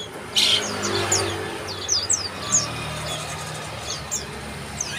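Bar-winged prinia giving thin, high chirps and quick downslurred notes at an uneven pace, over a low steady rumble in the background.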